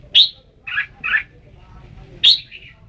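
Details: Red-whiskered bulbul giving a sharp, bright note, then two husky, buzzier notes close together, and another sharp, ringing note with a softer trailing tail; quiet low background hum throughout.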